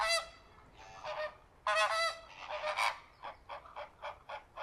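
Flamingos give loud, nasal, goose-like honks in overlapping bursts, then a run of short, quicker honks about three per second; no other sounds intrude.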